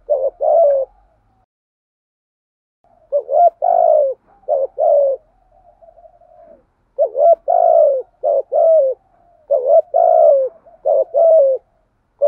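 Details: Thổ-voiced spotted dove giving rousing coos: repeated bursts of short and drawn-out throaty coo notes, several phrases across the recording separated by quiet gaps and faint soft murmurs, steady low-mid pitch.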